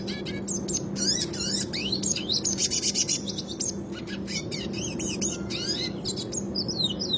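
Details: Red siskin, classic rolling song kept as a training model for other birds; dense continuous high twittering with rapid trills and warbled phrases over a steady low mechanical hum.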